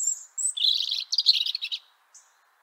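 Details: European robin (Erithacus rubecula) song in Liepāja, Latvia, January 2023: a thin high whistle, then a rapid tumbling run of sweet, slightly scratchy notes and a faint closing trill.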